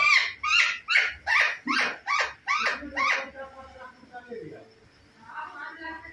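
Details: Talking parrot that barks like a dog and meows like a cat: eight short, harsh, bark-like bursts at a steady, quick beat, then softer, fading chatter.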